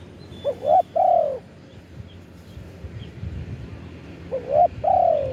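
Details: Spotted dove decoy calling wild birds, recorded live: two phrases of a rising quick double note leading into a long falling coo, separated by a pause of about three seconds.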